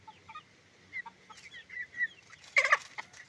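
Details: Chicken farm with roosters and hens: sparse, soft, high chirps and short clucks, then a sudden loud, harsh burst of squawking near the end before the chirps resume.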